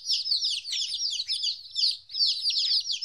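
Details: Baby chickens, 14 days old, newly separated from their mother, calling in loud sliding peeps that run together, with a faint low hum beneath.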